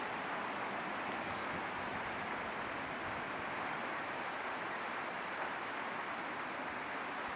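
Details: Steady broadband rushing noise, like flowing water or wind, fills the recording with no animal voice.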